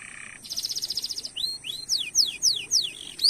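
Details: Canary singing to stimulate other canaries: a low buzzy note opens into a fast rattling trill, followed by repeated high falling whistled slurs and rising chirps.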